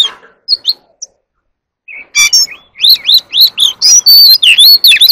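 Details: Oriental magpie-robin in competitive song, a few scattered notes then a loud run of repeated rising whistled phrases about twice a second, ending in clear sustained whistles.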